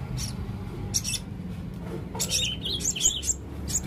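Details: Male blue-crowned hanging parrot singing persistently: thin, high chirps and squeaky notes, then a quick run of warbled, wavering high phrases near the end, over a low background rumble.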